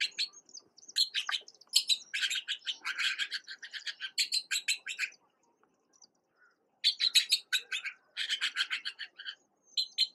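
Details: Recently fledged red-billed blue magpie young in Uttarakhand, India, newly on their own and fed by their mother, give harsh, rasping chatter in rapid clustered bursts with a brief pause midway.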